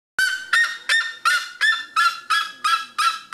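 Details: Red-legged seriema at Pico de Caledonia, Brazil, in November 2017, gives a fast run of loud, harsh yelps, about three per second, each note nasal and ringing, steady in pitch.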